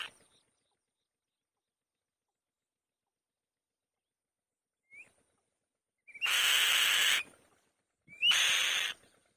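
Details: On the nest, a female white-tailed kite makes a faint short whistle, then two loud rasping screams about two seconds apart, each lasting roughly a second and led by a quick upslurred note.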